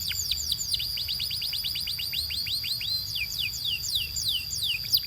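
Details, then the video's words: Belgian canary song used for training: repeated swooping whistles that fall and rise again, delivered quickly at first then more slowly, over a sustained bright tone throughout. "DO THIS and your BELGIAN CANARY will SING A LOT!"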